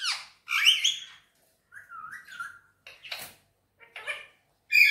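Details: Green Indian ringneck parakeet talking and whistling: raspy, voice-like phrases, a lower wavering whistled note, a few short squawks and a sudden bright shriek at the end.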